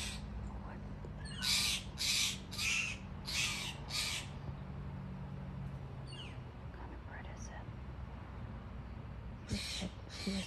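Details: Steller's jay calling from a tree in a Seattle yard, reported as pretty loud: five harsh, raspy calls in quick succession about half a second apart, a pause with faint chirps, then two more rasps at the end over a low steady hum.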